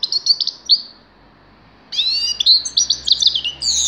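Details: Grey-crowned goldfinch singing: a quick burst of high twittering notes, a second of silence, then a louder, buzzy, chattering run of jumbled chirps and trills.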